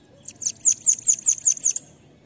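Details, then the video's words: Bananaquit song, 'pega pega' type, used in training other birds: around eight high, wheezy, downslurred notes in a brisk run of about one and a half seconds, with quiet surroundings. "CANTO LINDO DEMAIS PARA ENCARTE DE SIBITE CAMBACICA ( sibite PEGA PEGA )"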